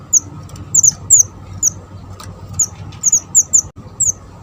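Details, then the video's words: Java sparrow calling as a lure for trapping: bright, high-pitched downslurred notes, several in fast pairs and triplets, with a faint steady hum beneath. "burung mantenan kecil / jawa gacor cocok buat pancingan dan mikat"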